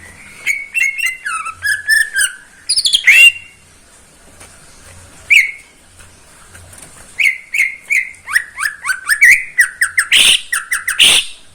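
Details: Neighbour's caged greater green leafbird in morning song: varied whistled and slurred phrases, a sharp squeaky burst, then a fast sequence of descending whistled notes.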